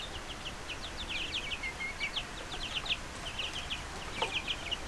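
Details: Chicks peeping, a run of high short downslurred cheeps with one longer flat whistle, fairly continuous, over a low hum and a single knock near the end.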